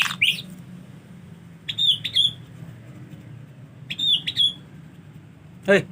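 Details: White-rumped shama during the rainy season, hard to get bathing, giving brief sharp high chirps in pairs a couple of seconds apart over a low humming background.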